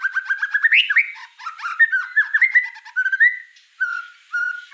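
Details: Gacor white-rumped shama singing a varied, rich melody: a rapid string of short repeated chips, then rising and falling fluty whistles and a final drawn-out clear note pair, clean and close.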